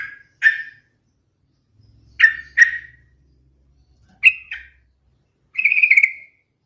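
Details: Yellow-vented bulbul (trucukan) song, a melodious lure for other birds: short, bubbly, chattering notes in four bursts around mid pitch, with a faint low hum between phrases.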